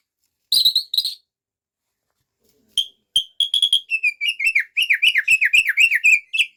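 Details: White-rumped shama unloading its learned repertoire ('bongkar isian'): two loud high notes, a pause, then a fast run of varied whistled and chattering phrases, sliding up and down in rapid succession.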